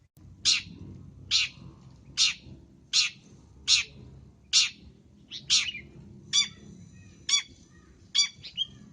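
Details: Long-tailed shrike, cendet masteran with full-isian gacor content: a steady series of harsh, rasping chacks spaced under a second apart, later interspersed with sharper, clearer whistled notes over a low murmuring background.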